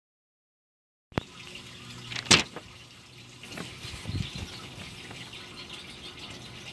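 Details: Silence, then a clunk, a sharp scraping sweep and softer knocks and rattles over a steady background hiss, with no animal voices.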